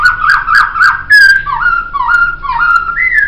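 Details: Laughingthrush called poksay whistles in a master song recording: a quick run of bright notes, then steady flute-like whistles that dip and rise, ending on a higher, brighter note.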